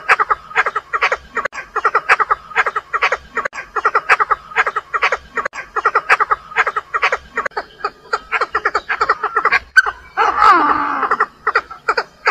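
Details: A female Chinese francolin calling to provoke a male gives a steady run of short, harsh, cackling notes in quick clusters, broken near the end by a brief rougher burst.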